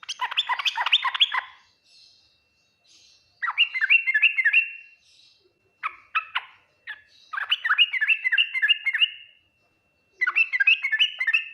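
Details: Yellow-vented bulbul singing in the full Ngriwik, Nguplik, Tuklik-Tuklik style said to draw quick replies from other bulbuls; bright bubbling phrases of fast chirpy notes, four bursts separated by short pauses.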